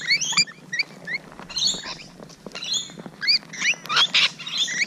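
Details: Rainbow Lorikeets heard close by in the morning, scattered shrill upslurred chirps and squeaks, then a burst of harsh grating screeches near the end.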